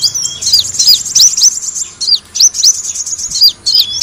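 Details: Sunbird known locally as kolibri wulung, sound used as a lure to attract birds; very high, thin chirps with sharp rising sweeps, given in rapid bunches separated by short gaps.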